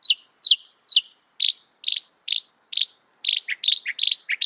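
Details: Northern mockingbird, said to reproduce some 200 sounds, giving sharp high chips at a steady pace, about seven alike, then a denser rapid run of mixed chips and lower notes.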